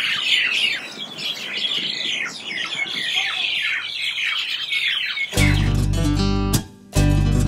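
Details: At dusk in early spring at a riverside park in Wenshan, Taipei, a flock of mynas gathering before nightfall chatters nonstop, with harsh squawks and busy overlapping notes, until plucked-guitar music takes over for the last two seconds.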